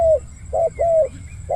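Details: Deep-voiced spotted dove used as a trapping decoy, cooing in the 'khu-ang' style: a short falling coo, a pause, then a clipped note and a longer level coo, clean and resonant.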